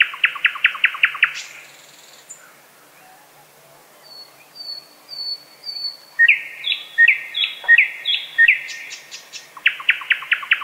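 A thrush nightingale sings a loud, varied song: fast rattling bursts of dry notes, a row of thin high whistles, then repeated deep chock notes.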